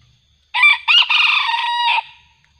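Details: A wild red junglefowl, being lured with a decoy and described as increasingly aggressive, crows once: a loud, harsh, broken crow of about a second and a half, clipped at the start and trailing off.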